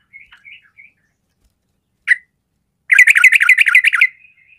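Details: Combative sooty-headed bulbul whose voice is said to provoke stalled birds to fight: three faint chirps, a single sharp call, then an energetic run of quick, harsh chattering notes rising and falling, ending in a thin whistle.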